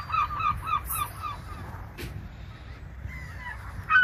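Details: Seagulls calling over ocean sound: a quick string of harsh, ringing yelps at the start, a lull filled with low surf rumble, then a rising squeal and a sharp cry at the end.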